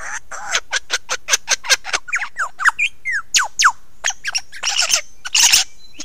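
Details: Close-up of a lyrebird singing on Ben Ricketts, 16 November 2022 at 9 AM: a loud, varied run of quick sharp cracking notes, then clear falling whistles and harsh rasping bursts.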